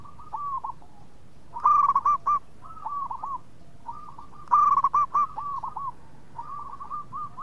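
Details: A local zebra dove in active, melodious song, the kind used to draw out other singers. Two strong bursts of fast, stuttering coos roughly three seconds apart, while quieter doves keep up continuous soft rolling coos underneath.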